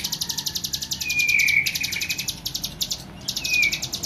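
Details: A tame hill prinia delivering lively song, a dense, rapid chain of bright high notes at a steady pace, broken by a drawn-out slurred whistle and a short pause.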